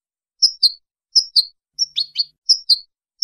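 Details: European goldfinch from Casablanca, Morocco, repeating a clean, bright two-note tinkling phrase about every second, once broken by a brief burst of mixed chattering notes.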